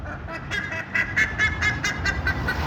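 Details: Black-faced ibis near Punta Arenas, Magallanes, in Chilean Patagonia, giving a rapid series of harsh, nasal honking notes about five per second, steady in pitch, over a low background rumble.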